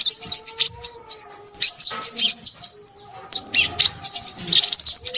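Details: A noisy crimson sunbird pours out quick, shrill, high twitters and short chirps in clusters, while faint low steady tones hum in the background.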